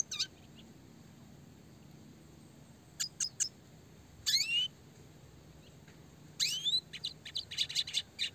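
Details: Red siskin singing clear, high chirps and twittering bursts in a roll-and-shoot style, used as tutor sound for songbird training; short sharp note clusters and rising strokes separated by quiet pauses over faint low hum.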